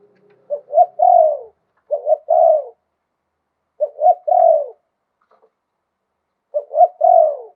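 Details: Four quick-paced coo phrases from a spotted dove in Thailand, lui tan style with a wild-type voice, each ending in a drawn-out descending croon; background silent.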